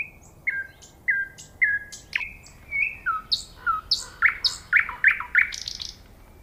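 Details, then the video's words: A common nightingale sings a fast, varied phrase: several clear downslurred whistles, then sharp rising notes and a quick run of bright chips, over a quiet background. "Nightingale Singing Sound"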